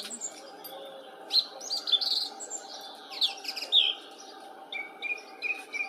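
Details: Song thrush song made of varied phrases: sharp, high, metallic notes and quick slurred whistles, some repeated, with short pauses between and a run of softer, evenly spaced chirps at the end, over a faint steady background hum.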